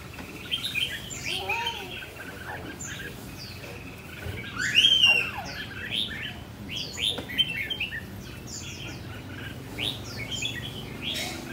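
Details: Caged red-whiskered bulbul in a tall square cage, singing in the energetic rồ ché style: bright, warbled whistled phrases, fast rising and falling notes repeated in quick bursts, with other chirping birds in the background.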